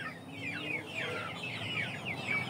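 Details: Chickens in a backyard flock: a chorus of many thin, high peeps, each a short falling or rising chirp, overlapping continuously with a faint low hum underneath.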